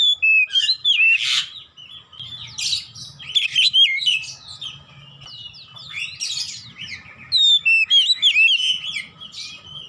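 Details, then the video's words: Oriental magpie-robin, known locally as kacer, singing as therapy for a silent bird: repeated bursts of slurred whistles, buzzy rasps and quick twittering, loud phrases every few seconds with quieter chatter between. "Kacer macet bunyi ikut gacor"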